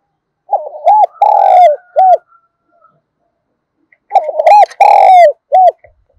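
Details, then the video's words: Spotted dove used as a decoy to draw wild doves, cooing in two bursts of short arched notes around a loud, slightly harsh, descending central coo, with a silent gap between the bursts. "Chim Cu Mồi/ cu gay kich boi nhanh noi gù hiệu quả, kích rất nhạy, bổi nghe là gáy"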